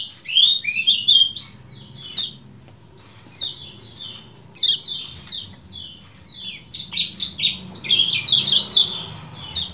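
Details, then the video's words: Common iora singing ciak jos: bright chirps and falling whistles in quick series, a quieter stretch of spaced notes, then a dense loud run of high notes with some background hiss. "MASTERAN AMPUH CIAK JOS KECIAL KUNING DURASI PANJANG"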